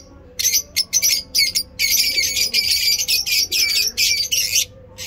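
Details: Lovebirds in Peshawar calling in nice weather, a dense flock-like chatter of harsh, shrill squawks and chirps running almost without pause after a few opening notes.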